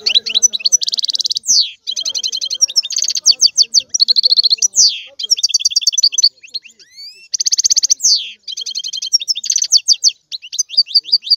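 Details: European goldfinch in full song, pouring out long runs of bright twittering, rapid trills and harsh buzzy slurs, with one thin rising whistle in the middle.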